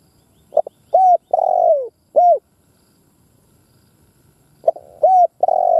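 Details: A spotted dove kept as a lure calls to provoke wild birds to fight. A clipped note leads into a long, mellow falling coo and a curt closing note, and the phrase repeats after a silent gap.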